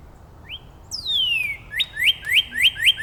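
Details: Northern Cardinal song from Angrignon Park, part of an exchange between neighbours: one rising note, a long high descending whistle, then a string of loud upslurred whistles repeated about four times a second.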